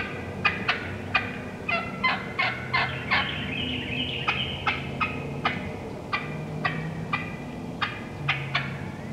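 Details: Wild turkey hens calling in the woods, one hen coming in: a long, busy series of sharp clucks roughly every half second with a rasping yelp run early, steady and excited.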